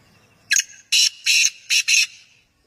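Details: Male black francolin calling at close range: five loud, harsh, rasping notes in a clipped, rhythmic phrase lasting about two seconds.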